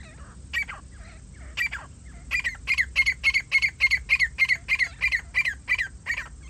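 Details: Grey francolin in a bird-hunting setting, giving a loud, harsh call series. A few scattered grating notes build into a fast, steady run of strident squawks, roughly four per second, over faint low rumble.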